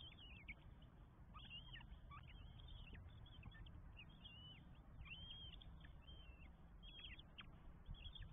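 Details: Four northern goshawk chicks begging while fed at the nest in Estonia, 24 May 2022; rapid overlapping thin, squealing calls, repeated constantly, over a low rumbling background.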